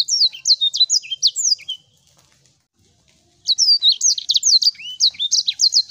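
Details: Sanger bird song used as a lure to get silent birds singing again: fast, high twittering of slurred, bending whistles and chirps for nearly two seconds, a pause, then renewed rapid chattering phrases.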